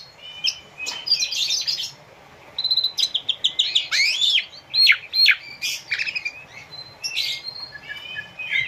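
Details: Asian pied starling singing, played as training audio for caged birds: a scratchy opening burst, a short pause, then a rapid medley of clicks, whistled upsweeps and downslurs, ending in buzzy high phrases.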